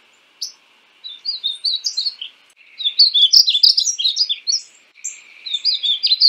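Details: Painted bunting song: quick bursts of high, sweet, varied chirps and warbled notes, delivered in rapid phrases with short pauses between them.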